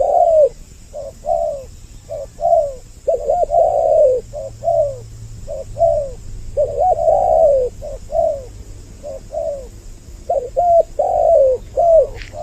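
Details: Spotted dove pair used as a bird-catching lure for males and females: a long run of soft, repeated coos in irregular phrases over a low background hum.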